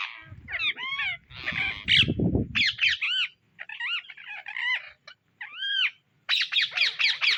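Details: Indian ringneck parrots searching for seeds: loud arched screeches repeated in rapid series, harsh and ringing, with brief pauses between runs and a low rumbling noise during the first three seconds.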